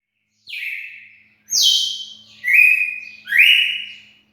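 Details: Red-cowled cardinal singing clear whistled phrases, each a sliding note that levels into a sustained tone, four phrases spaced about one second apart, with silence in between.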